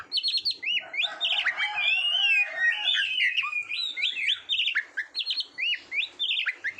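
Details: Oriental magpie-robin (kacer) song for training Indonesian competition birds: dense run of rising and falling whistled notes and trills, with a lower steady tone underneath for the first half, then quick repeated chirps.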